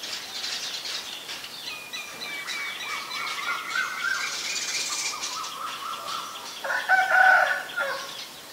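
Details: Common myna in Ubon Ratchathani, Thailand, May 4, 2022, captured with a Nikon P1000: varied whistled notes and drawn-out tones at shifting pitches, ending in a loud, harsh, grating call near the end.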